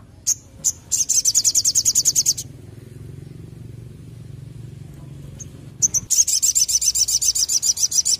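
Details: Olive-backed tailorbird (sogon) in energetic song: two bursts of rapid, high, repeated trilled notes, each several seconds long, separated by a quiet gap with a low hum and a single soft chip.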